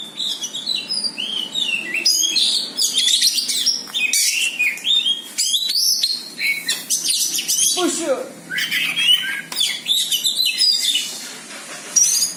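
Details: Oriental magpie-robin facing a rival and fighting it directly, a champion singer; loud, fast medley of bright whistled phrases, slurred upslurs and scratchy notes, with brief gaps between bursts and a descending sweep near the eighth second.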